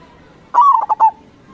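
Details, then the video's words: Local perkutut, or zebra dove, singing lustily, used to lure other doves into answering: a single drawn-out mellow coo dropping slightly in pitch, then three short punctuated coos in quick succession. "Suara Perkutut CROSSING GACOR SUPER Paling dicari, Perkutut Lokal Gacor 105"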